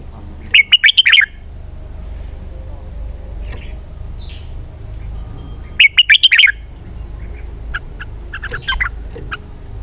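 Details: Red-whiskered bulbul singing a lively, cheerful phrase of four or five quick warbled notes, given twice about five seconds apart, with softer chirps between and a faint low background hum.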